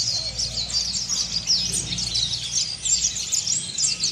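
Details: Oriental white-eye, a kept songbird in Indonesia, in a rough, rapid twittering style known locally as ngeriwik kasar: dense, high, thin chirps tumbling over one another without pause, with a faint low hum underneath.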